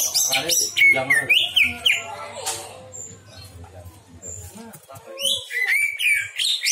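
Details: Cucak ijo, the greater green leafbird, in a lure recording meant to bring out its mimicry: bursts of bright slurred whistles and sharp chips, a quieter stretch mid-clip, then a fresh run of rising whistles.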